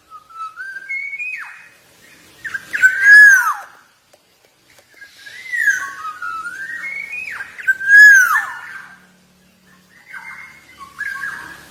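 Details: Black-naped oriole, a Javan golden oriole singing actively: rich fluted whistles that slur up and down, several short phrases in turn, some ending in a downward swoop, with quiet pauses between phrases.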